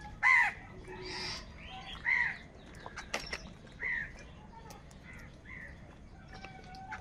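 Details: Crows from a huge flock fighting over food give loud, harsh, hoarse caws in irregular bursts, about four strong calls with fainter calls and clicks between them against a low background rumble.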